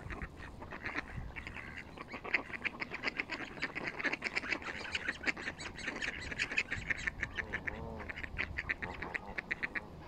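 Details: Several Canada geese on a bank calling steadily, a dense run of short, quick, repeated nasal notes lasting throughout, with a clearer rising-falling honk near the end.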